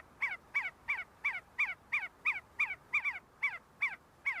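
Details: See-see partridges at the University of Sulaimani, Kurdistan, calling during feeding and fighting: evenly spaced, quick downward-slurred whistles, some doubled, close to three per second throughout.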